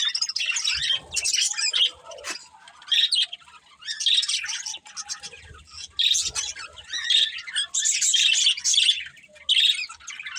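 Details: Budgerigar breeding pair chirping and singing: continuous high, warbling chatter with bright repeated chirps and squeaky notes, rising and falling in loudness, brief pauses around the middle.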